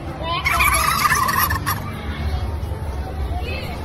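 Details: Turkey gobbling in a burst of rapid, rattling notes during the first two seconds, then fading into a steady background of noise and murmuring.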